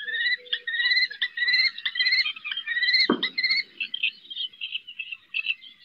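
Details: Female common kestrel on a roof at Riet Vell nature reserve in the Ebro Delta, calling her eldest fledgling during its first flights. Rapid series of sharp, harmonic notes, some rising, repeated almost without pause, with one brief loud click midway.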